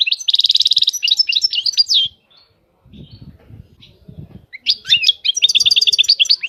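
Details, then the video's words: European goldfinch singing: fast bursts of bright, tinkling twitters and buzzy trills, then a pause with soft low rustling before the bird resumes with quick liquid chattering phrases. "طائر الحسون. اجمل الطيور المغردة Goldfinch. The most beautiful songbirds"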